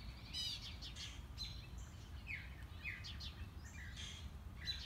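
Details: Morning-walk recording of an unseen mockingbird working through its varied repertoire: a quick run of different phrases, including downward-slurred whistles and short chirps, switching type every fraction of a second, with faint low background noise.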